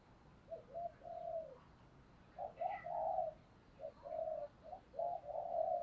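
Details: Decoy spotted dove cooing to lure wild doves: soft, low, slightly throaty coos in short groups of a brief note and a longer drawn note, over steady background hiss.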